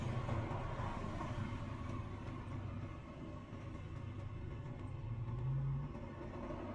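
Low vehicle rumble and traffic noise fill the recording throughout, with no animal voices heard.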